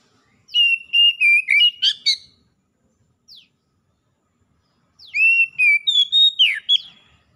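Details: Gacor song of Oriental magpie-robins, wild and kept birds replying to each other: two bursts of sharp, varied whistled notes separated by a pause of about two seconds, with one faint downward sweep in between.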